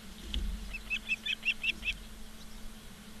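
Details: Osprey at a nest in Charlo, Montana, on a live nature cam, 15 August 2023 at 16:06; a faint series of about seven short, high chirps in quick succession, then quiet, over a steady low hum.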